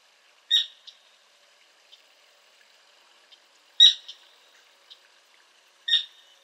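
A sora gives three sharp, high 'keek' notes, spaced a few seconds apart, with faint clicks between them against an otherwise quiet background.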